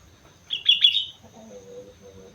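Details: Sooty-headed bulbul from Mount Slamet in lively (gacor) song: one brief bubbling phrase of bright, slurred notes, followed by a faint low droning tone.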